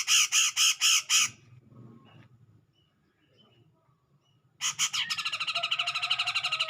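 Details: Provoking a rival, a grey-cheeked bulbul gives five loud, rasping notes, falls silent for several seconds, then launches into a long, rapid, grating chatter of evenly repeated notes.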